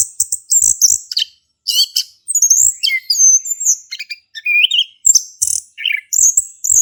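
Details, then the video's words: Male orange-headed thrush song meant to get another thrush singing; dense, high-pitched medley of shrill whistles, rasping buzzes and quick chirps, with one short pause early on. "Anis Kembang Jantan Gacor buat pancingan anis kembang macet bunyi"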